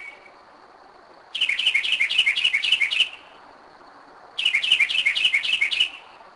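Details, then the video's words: Northern mockingbird singing at 2am in Kennesaw, Georgia, a bird that has returned to the same spot for several years: two bursts of fast, repeated high chirping notes, each about 1.5 seconds, separated by a quiet pause. "Mockingbird 2am 2011"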